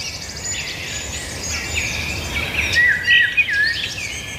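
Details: Birds singing faintly under a steady outdoor hiss. Scattered chirps build toward clearer whistled notes near the end.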